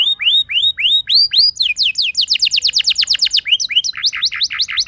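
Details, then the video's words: Canary song used as a lure to set other canaries singing: looping rising whistles give way to fast rapid-fire trills and buzzy repeated notes. "Burung Kenari Lain Bakal Langsung Ikut Gacor Ngerol Mewah Dengan Pancingan"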